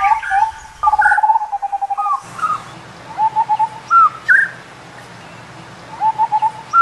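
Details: Indian scimitar babbler calling: low mellow fluted notes in short runs, with higher upslurred whistles breaking in and a faint hum underneath.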